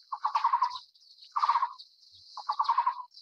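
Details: Taiwan barbet, endemic to Taiwan's broadleaf forests, giving three short hollow trills of quick pulses about one second apart, with a continuous high insect drone behind.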